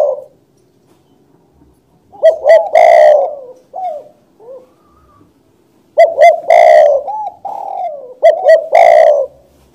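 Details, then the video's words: Spotted dove song in two loud phrases about four seconds apart. Each phrase has clipped rising-falling coos ending in a long rough coo, with soft trailing notes and quiet gaps between. "suara burung tekukur // suara burung balam"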